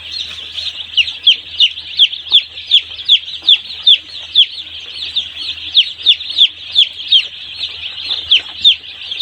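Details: Poultry-farm chicks one day old: a close chick keeps up loud, shrill, descending peeps, nearly three each second, steady throughout, with many fainter chicks peeping behind.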